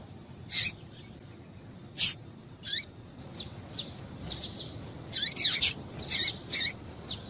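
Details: Calling female double-collared seedeater, whose call serves to excite males: sharp, high, downward-swept notes, sparse at first, then crowding into a busy run of overlapping chips near the end, with soft background hiss.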